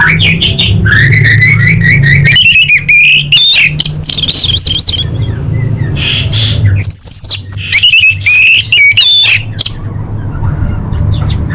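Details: Female orange-headed thrush calling males, used to prompt quiet birds to sing. A loud, varied stream of warbled whistles, trills and wavering high notes comes in bursts separated by brief gaps, with a constant low hum behind.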